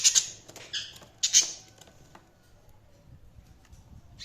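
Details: Budgies giving a few quick, high, harsh chirps in the first second and a half, then near silence with faint background hum.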